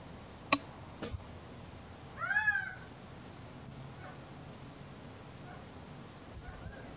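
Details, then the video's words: A male Gambel's quail calls on a warm, sunny April afternoon with one nasal, slightly wavering call about half a second long, rising then falling. Two sharp clicks come just before it, over a quiet background. "Gambel's quail call"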